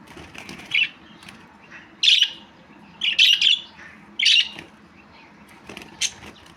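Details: A budgie chirping in short warbled bursts roughly once a second, some calls doubled, with light rustling and a low background hum.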